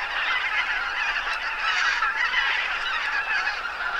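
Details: Roughly 2000 geese resting on a lake in late autumn, chiefly greater white-fronted geese and bean geese plus a few barnacle geese, calling together in an unbroken clamour of overlapping nasal honks and higher yelps.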